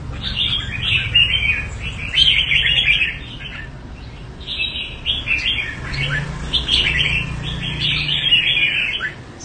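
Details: Kept Red-whiskered bulbul from Đại Quang, Quảng Nam, Vietnam, delivers a near-continuous run of lively, varied warbling phrases, briefly softer mid-way, against a low steady hum.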